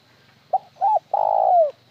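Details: Spotted dove calling in the Vietnamese styles known as one-tail-note call (một hậu), sometimes broken, sometimes plain without the tail note: a short low coo, then a brief arched coo, then a long, throbbing, drawn-out coo that falls at the end, in quiet surroundings.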